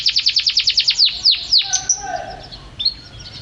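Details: Canary, described as a champion singer, in a rapid series of about ten high descending chirps followed by sweeping whistled notes and a softer warbling trill.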